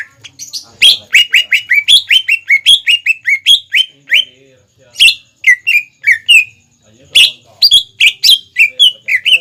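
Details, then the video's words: Lure song of a greater green leafbird for young birds to learn from: long rapid strings of sharp descending whistled notes, some rolling into trills, separated by brief pauses, with a few higher squeaky accents. "PANCINGAN CUCAK IJO GACOR INI SANGAT CEPAT DI TIRU CUCAK IJO MUDA ATAU CUCAK IJO BAHAN"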